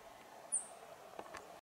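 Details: Rock bunting calling at Chopta, Uttarakhand, in April 2018: a single brief, thin, very high 'tsi' note over a steady low background hum, followed by a couple of soft knocks.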